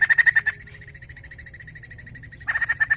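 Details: White-crested laughingthrush singing to stimulate other birds: loud, rapid harsh chatter at the start, softer quick notes continuing through the middle, then the loud chattering bursts return.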